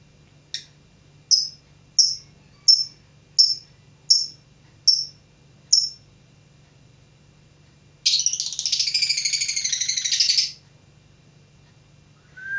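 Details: Lovebird learning to sing: a row of eight short, sharp high chirps roughly every seventy-five hundredths of a second, then a dense buzzy chatter lasting about two and a half seconds, and a brief whistle at the end.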